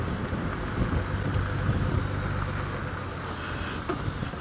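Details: Rain and a running vehicle engine during a sunrise safari drive on June 22, 2017, a dense wash of noise with no animal voice.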